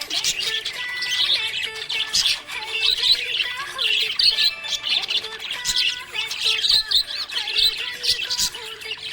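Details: Happy budgerigar chirping: dense, rapid high twittering and short squawky notes in quick irregular bursts, with a steady melodic music line running softly underneath.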